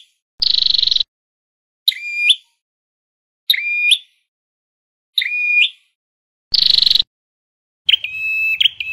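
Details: A Scarlet-backed flowerpecker in a lure recording for speaker trapping gives high, thin notes, harsh buzzy bursts alternating with quick tinkling phrases that dip and rise, repeated every two seconds or so.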